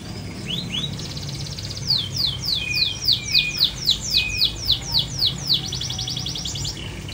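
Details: Long-tailed shrike, caged without a cover and not somersaulting, delivers fast buzzy trills and a run of repeated downward-sweeping notes, roughly three to four per second, then another trill.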